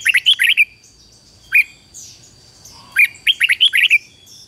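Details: Red-whiskered bulbul used as a decoy bird to call in wild birds, singing short bursts of bright, warbling whistled notes, several phrases separated by pauses, with faint softer chirps from other birds between phrases.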